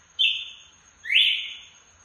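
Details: Red-cowled cardinal calling out: two loud clear whistled notes about one second apart, the second rising sharply then holding, with a steady faint high tone in the background.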